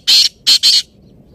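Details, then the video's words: Black francolin giving three loud, grating, buzzy notes: a long first note, a short gap, then two closely spaced notes, with a quiet background. "Titar ki awaz - Teetar awaz - Black francolin voice - Kala teetar ki awaz"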